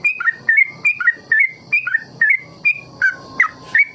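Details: Trucukan ropel song played to train trucuk: rapid, ringing whistles in quick pairs, some swooping downward, delivered nearly three per second with a faint hiss behind.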